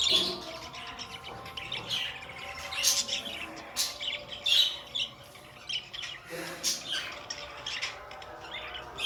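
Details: Several pet budgies keep up a busy, uneven stream of high twittering chirps and raspy squeaks, with louder bursts about every few seconds.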